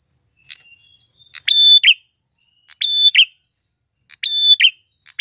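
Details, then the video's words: Male prinia, prenjak tamu klawu, singing to attract wild females: three phrases of a level whistle ending in a buzzy rasp, about every 1.4 seconds, with thin high calls in the background. "Suara Prenjak tamu klawu jantan gacor - MP3 PIKAT burung pernjak betina liaran di alam"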